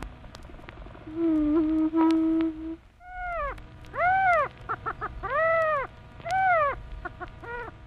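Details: A prairie chicken from eastern and central North America gives a long, low, steady hooting moan, then a run of arched, whining notes and short clucks.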